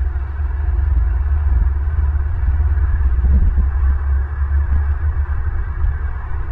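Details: A loud, throbbing low rumble fills the whole stretch, steady and heavy, without any call or song rising above it.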